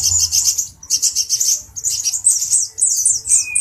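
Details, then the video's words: Male Brown-throated sunbird, worked up and teasing a cucak jenggot, pours out a shrill, hurried twitter of high squeaky notes and buzzy trills, ending with a thin sustained whistle. "Kicau Burung Kolibri Ninja Dada Coklat Jantan emosi menggoda Burung Cucak Jenggot"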